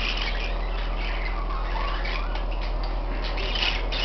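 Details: Pet parakeets chatter nonstop in a dense run of scratchy chirps and squawks, several per second, over a steady low electrical hum.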